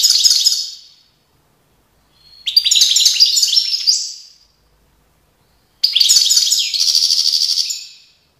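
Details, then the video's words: European goldfinch song from Tiaret, 2019: three bursts of rapid, tinkling, twittering high notes, each lasting one to two seconds, separated by short silences. "chant chardonneret"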